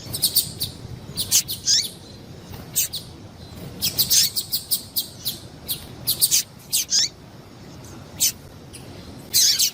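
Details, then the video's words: Bright, high, clipped chirps from a female double-collared seedeater, used to heat up males, come singly and in fast runs of four or five, some with falling tails, at uneven intervals over ten seconds against soft hiss. "Melhor Piado de fêmea de papa capim para Foguear e Esquentar papa capim"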